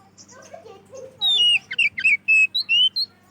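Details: Oriental magpie-robin (kacer) singing loudly to lure other magpie-robins: soft chattering notes open, then a string of sharp, clear whistles and downslurred phrases in quick succession over a steady low hum.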